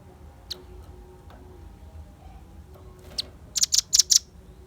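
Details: Velvet-fronted nuthatch calling as a lure: faint clicks over a quiet low hum, then four loud, very high, sharp notes in quick succession at the end.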